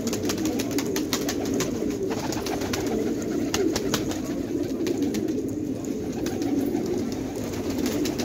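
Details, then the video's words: A flock of fighter pigeons at a village in Khanabad, Afghanistan, producing continuous overlapping soft coos, with bursts of crisp clicking sounds throughout. "کفتر های جنگی پرشی در خانه آباد"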